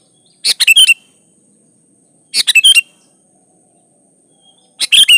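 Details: Sooty-headed bulbul singing gacor, meant to provoke other bulbuls into song: three short, slightly harsh chirping phrases, each ending in a whistled twist, about two seconds apart.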